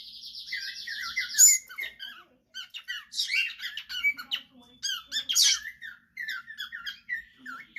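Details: A cockatiel, sold as a female but now suspected by its owner to be a male, chatters in squeaky, warbling bursts that mimic the rhythm of speech.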